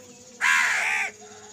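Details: Crow fighting over food: one loud, harsh, hoarse caw lasting under a second, slightly falling at the end, over a quiet background hum.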